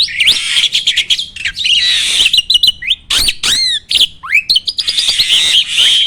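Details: Starling song meant to provoke other birds into countering it: a continuous, varied mix of raspy chatter, sharp rising and falling whistles and fast repeated chirps.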